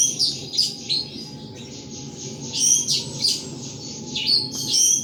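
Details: Hobbyist's caged thrush in Indonesia singing continuously: clusters of high, sharp whistled and chirped notes in repeated short bursts, with a steady faint low hum in the background.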